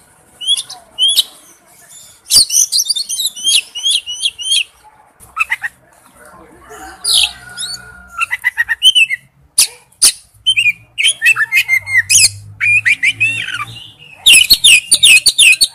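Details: Male oriental magpie-robin calling to a female: varied high whistles, rising slurs and scratchy chirps in bursts, with short pauses, a low hum and faint voices in the background, ending in a dense run of loud notes.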